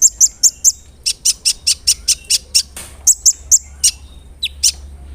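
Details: Brown-throated sunbird singing crisply as a lure to provoke rival sunbirds: a steady series of piercing, high, clipped notes about four per second, briefly paused, then resumed, with a lower slurred note near the end.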